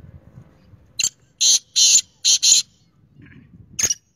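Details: Kala teetar, the black francolin, calling a short series of loud, rasping notes after a sharp click, with a final harsh note after a pause and faint low background rumble.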